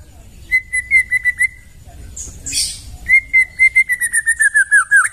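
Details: Forest-recorded white-rumped shama song: a brisk series of short, evenly spaced whistled notes, then a brief buzzy rasp, then a longer run of rapid whistles that speeds up and ends in slurred downward notes.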